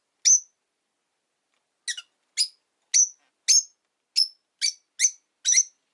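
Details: Rosy-faced lovebird chirping, five birds caged near a window in the afternoon: one sharp shrill note, a pause, then a string of eight piercing clipped chirps spaced about half a second apart.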